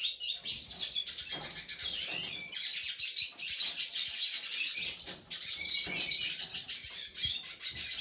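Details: A red siskin (Spinella cucullata), recorded 20 December 2023, sings a continuous, rapid twittering song of high buzzy trills and thin whistled notes, with a few chirps mixed in.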